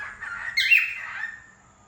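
A cockatiel gives a brief, bright warbling phrase that rises into a harsh squawky peak and then fades.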